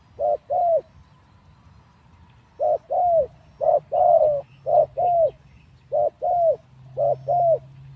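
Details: :Captive decoy spotted dove, caged, used for luring wild doves, out of its breeding cage three days and not yet fit; low paired coos, a short note then a longer down-slurred one, in four groups with pauses between.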